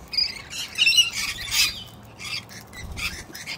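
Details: On a rainy day, cranky corellas squabble and one kicks another, giving harsh, raspy screeches in quick, uneven bursts, several in under four seconds, with some shriller squeaky notes between them.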